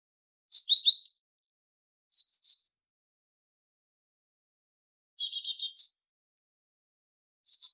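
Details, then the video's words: Tit song from a recording used to tutor goldfinches: short clusters of sharp high chirps, a harsh buzzy rattle near the middle, and a final chirped phrase, spaced by pauses. "تغريد طائر الحداد ( القرقف) شريط تسميع الحسونChant de la Mésange"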